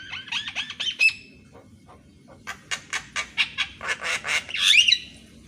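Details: Javan myna morning song for training other mynas: quick whistled slides, a run of harsh evenly spaced rasps, then a loud squealing flourish.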